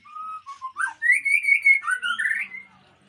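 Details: White-rumped shama, Aceh type, described as a fighter: a steady low whistle, short dropping notes, then a sweet rising and wavering whistled phrase ending in a brief warble; a faint low hum underneath.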